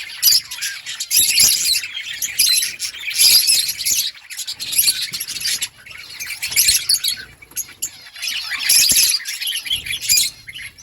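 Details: Budgerigar chatter arriving in loud waves of shrill, buzzy warbling and chirps, separated by brief quieter pauses, over a soft low hum.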